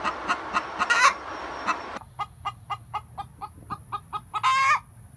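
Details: Hens singing the egg song after laying: steady clucks repeated roughly every quarter second, broken by a loud drawn-out squawk, with a constant high electrical whine behind.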